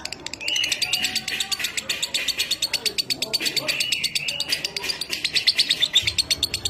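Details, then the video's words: Lovebird kept as a pet, recorded to tutor other lovebirds in the 'minor kering' style: a long, unbroken stream of quick, dry, clicking chatter, nearly three notes a second, mixed with thin high squeaks. "Masteran Suara Lovebird Minor Kering"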